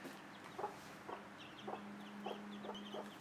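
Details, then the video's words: Mother hen on day one calling her chicks to food: short low clucks repeated roughly every half second, with faint high chick peeps and a steady low hum in the background. "mother hen making unique sound to show chicks where is the food"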